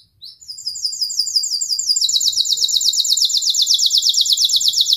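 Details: Canary singing a long gacor song, used as a model for young birds to learn from: high repeated down-slurred notes, then a sudden switch to a faster, rolling trill of sweeping notes that carries on steadily.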